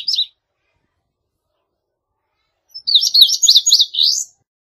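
An Indigo Bunting gives a brief high note, then after a pause a quick series of sharp, paired high notes lasting just over a second.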